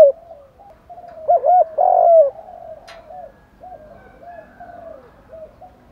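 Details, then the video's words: Spotted doves, male and female, calling in thúc, gù and gáy gọi styles to rouse wild birds: a faint coo, then a quick pair of strong coos and a longer loud one, followed by quieter repeated coos. "Tiếng chim cu gáy kích bổi [ thúc + gù + gáy gọi ]"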